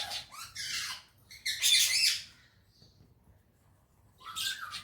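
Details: Pet parrot described as talking and in a happy mood, with Urdu and Hindi speech, gives harsh, noisy squawks in three bursts: two short ones at the start, a louder longer burst, then another after a quiet pause.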